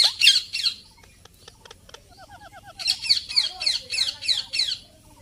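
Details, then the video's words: Indian ringneck parakeet, a talking parrot, shrieking in harsh bursts, with soft clicks and a short run of whistled falling notes, then a long series of rapid repeated screeches. "Indian Parrot Talking and Making Noise"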